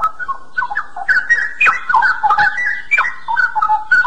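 A straw-headed bulbul pours out a loud, rich, bubbling warble of liquid swooping notes in quick, tumbling phrases, with no other sounds.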